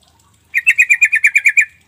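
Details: A Sooty-headed Bulbul lure call intended to provoke a response from silent bulbuls: ten rapid, evenly spaced chattering notes, crisp and slightly buzzy, lasting about a second against near silence.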